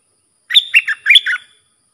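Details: Red-whiskered bulbul song used to teach young cage birds, with sap dok, double and rik phrasing: one clear, fluty phrase of five quick notes joined by a thin steady whistle.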